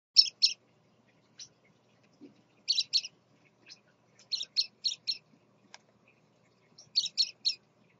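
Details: Adult male scarlet-chested parrot (father) with his chicks gives short, scratchy, high chirps in quick pairs and triplets, with irregular pauses between bursts; background otherwise quiet. Finding: Scarlet-chested parrot.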